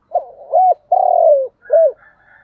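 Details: Spotted dove giving thúc gù cooing: a soft stuttering lead-in, an arched coo, a long buzzy drawn-out coo falling at the end, then one short clipped coo. Faint higher notes follow. No other background sounds.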